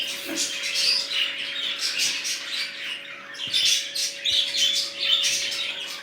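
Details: A budgerigar group in its first days as a new colony, some with red eyes, gives overlapping bright chirps and scratchy warbles in bursts, a soft tapping and a steady hum beneath.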